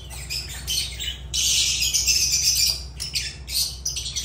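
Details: Agapornis lovebirds in sustained noisy chatter, one long rasping screech stretching over a second amid quick harsh squawks.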